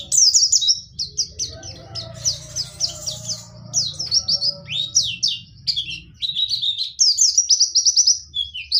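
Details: Dakun white-eye from Pacitan in ngerol nembak style, pouring out rapid, high-pitched chirped notes in dense rolling phrases with barely a pause, over a faint low background rumble.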